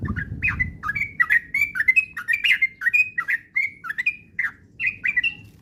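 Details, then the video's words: Sooty-headed bulbul singing a continuous run of short, upslurred whistles, used as a lure to make a kept bird sing busy ropel song. Notes come steadily, about three a second, after a soft low thud at the start. "pancingan trucukan agar cepat ropel gacor rajin bunyi"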